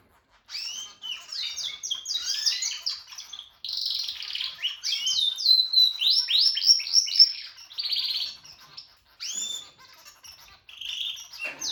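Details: Practising Harz canary male sings a continuous run of high warbles, quick downslurred notes and rolling trills in rapid succession, with brief pauses between phrases and near-silent background.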